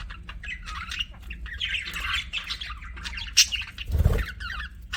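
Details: Pet budgerigars chirping: a busy stream of warbling, chattering notes in the upper range, with a brief louder squawk near the end over a low background rumble.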